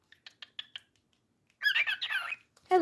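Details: Pet cockatiel giving a rasping, wavering squawk of almost a second. Before it come five quick soft ticks, and a person's voice starts right after as the owner repeats friendly greetings.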